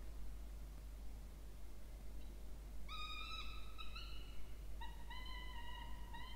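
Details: Peregrine falcon chicks, one of two, in a nest box in a water tower at Charles Sturt University, Orange, New South Wales, Australia, 20 October 2024, while being fed. After three quiet seconds come drawn-out, strained whining wails in quick succession.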